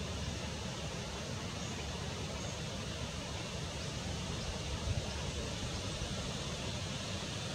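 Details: Continuous low rumble of traffic and wind throughout, with no clear animal calls.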